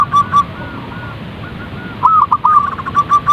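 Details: Zebra dove call for encouraging a bird to sing: two brief coos, a quiet gap with faint notes, then a quick stuttering run of soft cooing notes followed by evenly spaced single coos.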